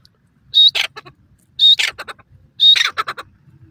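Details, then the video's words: Pheasant calling in the wild: three loud calls about a second apart, each a short high whistled note followed by a harsh, rasping, broken burst, over a quiet background. "Pheasant Bird Calling in the Wild,Pheasant Bird Melodies"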